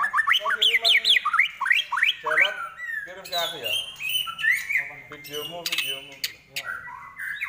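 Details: Song of a white-rumped shama, known locally as murai batu, at a bird gathering: rapid sweeping whistled notes rising and falling, then varied chattering phrases, with faint voices in the background.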